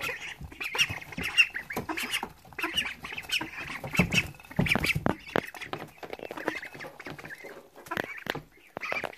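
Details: Ducklings around day 23, in a brooder and devouring a snack of lettuce and peas, give a busy stream of high, thin peeps in quick overlapping bursts, with soft clicks and rustling as they feed.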